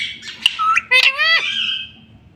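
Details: Indoor pet talking parrot: a short burst of raspy chatter leads into one loud, rich, buzzing squawk that slides downward and trails off into a fading hiss.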